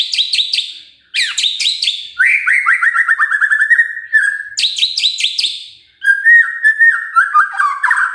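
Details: Magpie-robin singing to set other birds singing: crisp repeated high chips in quick bursts alternating with rapid wavering whistled runs that step gradually lower.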